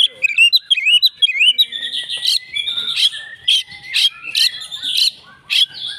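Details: Agitated fighting song of an Oriental magpie-robin answering a rival: a run of quick rising and falling whistled notes, then loud buzzy rasping bursts roughly every half second, a dense varied repertoire.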